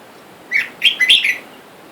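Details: Red-whiskered bulbul, heard where a caged male-female pair sits while wild birds outside call for a mate: one quick liquid phrase of about four chirped, slurred notes, clear and loud against a near-silent background.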